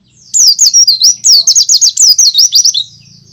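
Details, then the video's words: Loud, vigorous white-eye song meant to lure untrained birds into singing: a continuous string of about fifteen high, wavering whistled slurs, each dipping and rising, with a faint low hum underneath. "pleci gacor ngalas suara keras cocok untuk pancingan bahan"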